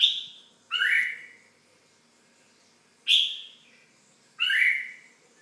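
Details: Red-whiskered bulbul producing four loud, clipped, rising-then-falling chirps in two irregular pairs over five seconds, each note bright and brief, recorded close in a quiet setting.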